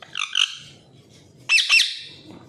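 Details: Harsh high squawks from a pet parrot in a home with four parrots, two of them talking: a short raspy burst, a pause, then a louder double-pulsed screech fading out.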